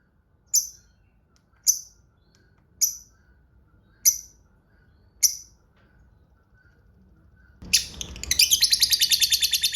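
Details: Lovebird used as a lure to make others answer: five sharp, high single chirps spaced about a second apart, then a swelling noisy flurry breaking into a fast, continuous ngekek rattle.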